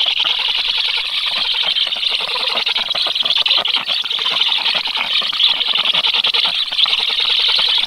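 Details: Nestling black storks, 13 July, give reflexive begging chirps when a strange adult stork comes near the nest; an unbroken, buzzy wall of high-pitched twittering at steady loudness.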